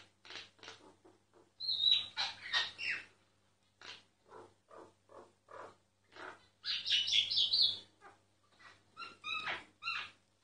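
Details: Myna song, recorded secretly: clicks and short rasping notes, a high pure whistle, then a fast run of squeaky, bubbling phrases and whistled notes, with a low hum in the background.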